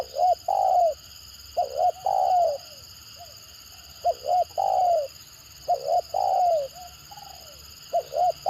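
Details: Spotted dove with the stammering 'gagap' call, said to make other birds respond eagerly: five phrases, each two short choppy notes leading into a sustained downward-sliding coo, with brief quiet gaps between.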